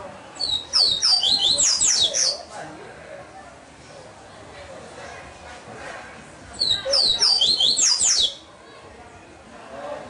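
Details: A captive-bred double-collared seedeater, a fast-singing type, sings two bursts of fast, high, twittering notes, each about two seconds long, separated by a pause.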